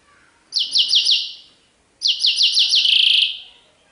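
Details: European goldfinch sarfati tiwawati song: two phrases of four or five crisp, evenly spaced descending chips, the second closing with a buzzy, rapid trill.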